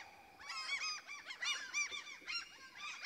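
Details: In a Swedish forest, common cranes give a dense, continuous run of loud trumpeting notes, each rising then falling, overlapping one another with bright harmonics throughout.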